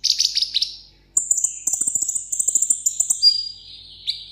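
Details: A caged sunbird, a Vietnamese seven-coloured pet, sings solo in contest style. High, thin twittering notes give way to a long sizzling trill of rapid sweeping notes that ends in a steady whistled tone and then a lower buzz.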